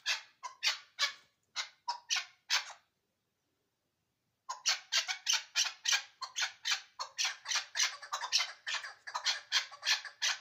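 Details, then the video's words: Ishkoshim chukar partridge calling in loud rasping bursts, a string of harsh notes broken by a pause of nearly two seconds before a longer, faster, unbroken series of scratchy chucks resumes. "Кабки Ишкошим"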